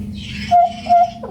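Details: Hooded butcherbird, endemic to Papua, singing in a lively, unusual style: two clear, pure, mid-pitched fluted whistles, each held steadily for about a fifth of a second, then a brief lower note, over faint low hum.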